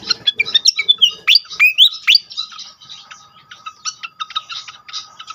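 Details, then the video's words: Pied fantail sung as a lure to set other fantails singing: bright whistled upward slurs and squeaky chirps in the first half, fading into quieter repeated short ticking notes. "pancing bikin cepat gacor sikatan kipas lain"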